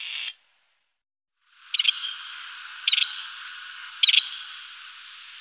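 Grey partridge giving three short, harsh, grating notes about a second apart, set against a steady background hiss.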